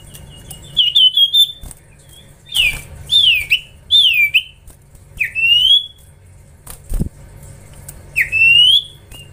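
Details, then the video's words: Juvenile common iora being trained, in full voice, gives short bright whistled phrases of two or three notes, rising and falling sharply, separated by pauses of about a second, with a faint knock midway. "Gacorrr ngelatih cipow cipoh anakan"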